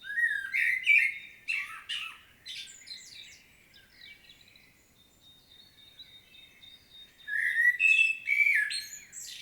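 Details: Common blackbird, Świnoujście, Poland, September 2022, giving separate song phrases: fluted, warbling notes with twittery endings, then a quiet pause of several seconds before another loud, mellow phrase finishing in high squeaks.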